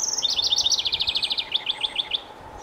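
A house wren sings a fast, bubbling tumble of high notes that shifts through several rapid trilled phrases over a faint low steady hum.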